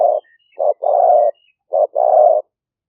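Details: Spotted dove, medium-voiced 'liu fueang' type, calling live in rainy-season paddy fields of Roi Et province, Thailand, smartphone-recorded for trapping lure use; loud short coo followed by a longer full coo, repeated, clean background.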